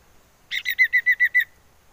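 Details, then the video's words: Calling common iora used as a lure to set birds singing: a rough buzzy opening note, then six clear, evenly paced whistled notes on a steady pitch, with a faint tail afterwards. "Siulan Merdu Cipoh Sirtu"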